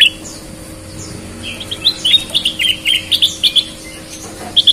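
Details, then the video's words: Sooty-headed bulbul singing energetically, compared as red-eyed versus white-eyed birds; short whistled chirpy notes, sparse at first, then a quick run of bright repeated phrases over a faint steady hum. "Burung kutilang gacor mata merah vs mata putih"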